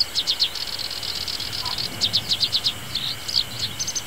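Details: Black-browed reed warbler in a reedbed in early summer, giving a shrill, fast song of repeated sharp chips and trilled runs in quick bursts, separated by brief pauses, with low rumbling mower engine noise beneath.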